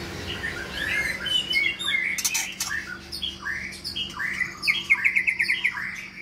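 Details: Captive long-tailed Medan white-rumped shama singing in a large exercise cage: varied whistled phrases mixed with harsh, squawky notes and fast rattling bursts, ending in a quick run of repeated notes over a faint steady low hum.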